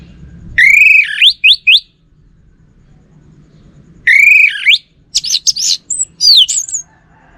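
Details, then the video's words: Kept orange-headed thrush singing two phrases: a whistled note swooping into quick twisting notes, a long pause, then a longer varied run of whistles, buzzy chirps and high slurred notes. "Burung ANIS MERAH Lansung Nyaut Gacor Tanpa Henti"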